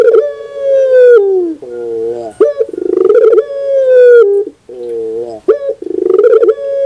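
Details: Sustained morning coos of a puter pelung dove, each a long steady tone sliding down at the end, then a lower hummed coo and a quick rolling trill before the next phrase.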